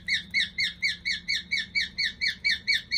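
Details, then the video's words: Indoor pet cockatiel, likely male, performs a walking 'cockatiel march' song of evenly spaced, clear, slightly rising chirps. About twelve notes come in three seconds, each crisp and identical, over a faint low hum. "オカメインコ オカメ行進曲編"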